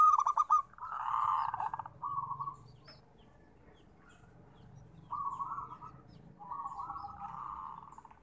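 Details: Zebra dove, a local perkutut kept for therapy singing, giving rolling, pulsed coos near one pitch in bursts of about a second, the first quick and stuttered, later phrases smoother and longer, separated by pauses with faint low hum beneath.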